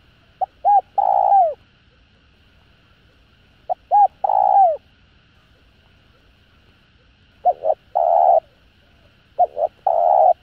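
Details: Four repeated phrases from a spotted dove calling to excite other doves. Each phrase has a short note and a hooked coo, then a long level coo ending in a downward slide, with silent gaps of two to three seconds.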